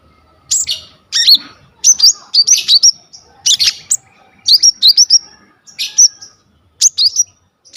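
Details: Lively, full-repertoire song of a brown-throated sunbird, recorded on a phone for tutoring other sunbirds: clusters of two to four sharp, high chirps with short slurred whistles, separated by brief pauses.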